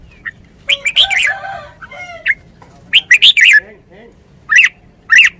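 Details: Caged Red-whiskered bulbul, a decoy bird, giving a scratchy chattering phrase, then short, sweet, downslurred whistles in pairs and triplets, spaced about a second apart.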